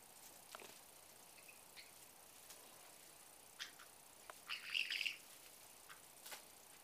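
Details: One of two pet white-bellied caiques that wrestle playfully every day gives one short, shrill, buzzy squawk, with scattered soft clicks and faint chirps before and after in a quiet room.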